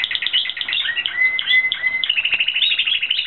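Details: Spanish Timbrado canary in song training, pouring out rapid rolling metallic trills that shift pitch, broken midway by a long steady whistled note before the fast rolls resume.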